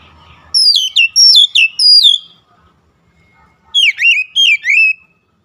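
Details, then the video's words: Oriental magpie-robin delivering a song intended to raise a magpie-robin's emotion: four clear ringing whistles stepping downward, a silent pause, then four more twisting, sharply slurred whistles. "KICAUAN MENAIKAN EMOSI KACER"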